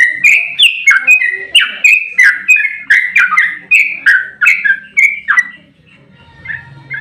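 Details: Fighting sooty-headed bulbul used to trigger other birds into song: lively, repeated bubbly chirps at roughly three per second, sliding up and down, fading to a low rumble of background noise near the end.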